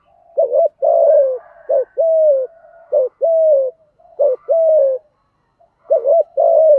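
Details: Spotted dove used as a lure bird, calling to provoke wild doves, in the "giọng thổ" voice style with "thúc gù" cooing. It gives mellow cooing phrases of a short clipped note and a longer falling coo, repeated in quick succession. The recording is clean and quiet.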